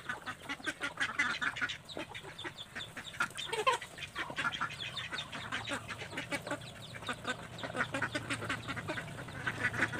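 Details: Group of ducks squabbling over scattered feed, giving a continuous chorus of overlapping rasping quacks repeated rapidly throughout, with no pauses and a few louder calls standing out.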